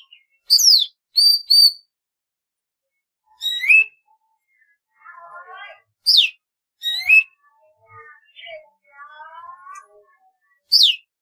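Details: Golden-fronted leafbird (Chloropsis aurifrons) song: loud, varied whistled phrases, sharp sweeping notes alternating with lower warbled twitters, delivered in bursts every second or two.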